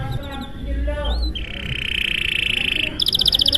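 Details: Canary in long, lively song, played to make other canaries join in: a few scattered chirps and a rising slur lead into a sustained buzzy trill, then a fast, bright, high-pitched series of repeated notes.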